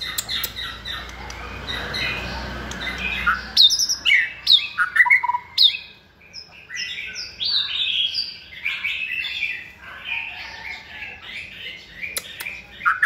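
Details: White-rumped shama kept in a cage, second-season bird raised by hand from the nest and known for many voices, gives a long run of clear whistled notes, sharp downslurs and warbled phrases, opening with a noisy chattering burst.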